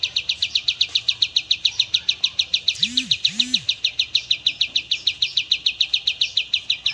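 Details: Oriental white-eye recording for training cage birds: a long, even series of sharp, high repeated notes, about three a second, with two low, arching hums in the middle and a faint noisy background.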